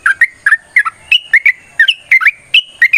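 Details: Fighting song of a sooty-headed bulbul, meant to set off other birds singing: clear liquid whistled notes in loose doublets and triplets, some slurring upward, delivered in an unbroken, slightly irregular stream.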